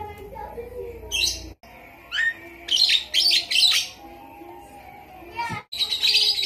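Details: Javan myna imitating a lovebird: harsh, high chattering bursts lasting under a second each, separated by pauses, with faint lower tones underneath.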